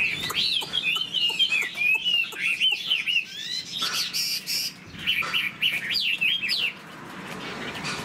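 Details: Chinese hwamei in a cage, wings flicking and tail fanned, sings quick sequences of sweeping whistled notes about three or four per second. There is a short harsh burst midway and the song closes with laughingthrush-style flourishes before fading.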